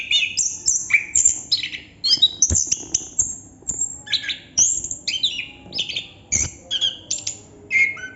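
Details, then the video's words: Continuous ngerol song from a Chestnut-capped thrush, rapid high chirps and clear whistled slides tumbling one after another with barely a pause, the phrases varied and bright over faint low background hum. "Burung Anis kembang / Plontang Ngerol Non stop durasi panjang"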